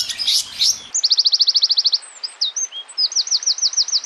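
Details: Small songbird in a compilation of sharp, harsh master song for training competition birds: a short noisy burst, then a fast even series of about twelve clear whistled notes, slurred whistles, and a run of upswept notes.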